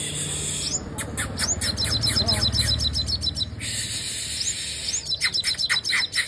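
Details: A female sunbird sings quick, thin, high chips and twitters in rapid bursts, several notes a second, over a low background hum.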